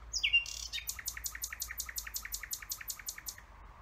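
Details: Nightingale singing: a high whistled opening note, then a fast, even series of sharp clicking notes repeated about four times per second until the end.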